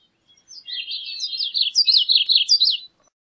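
A Gray-cheeked Thrush sings one thin, high, nasal phrase of about two seconds. Its rapid, slurred notes rise near the end, then drop away. The background is otherwise quiet.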